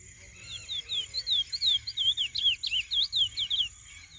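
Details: Lesser seed-finch, a young bird in its first moult toward black plumage, singing a rapid series of clear whistled notes, each sweeping or looping, about two to three per second, with a steady high hiss behind.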